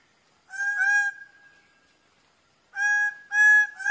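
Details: A Greater bird-of-paradise (Paradisaea apoda) gives loud, nasal, honking calls: one drawn-out note, then a quick run of three, with a rich, ringing tone.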